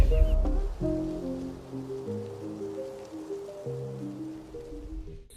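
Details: Sustained low instrumental music plays throughout, its tones shifting in steady steps. No animal calls can be picked out.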